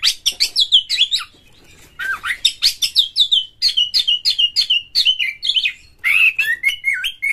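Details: Oriental magpie-robin (kacer) lure song meant to set other birds singing, a tail-opening bird with coarse varied phrases; a fast, nearly continuous run of sharp chirps and rising-falling whistled notes, repeated rhythmically with one brief pause.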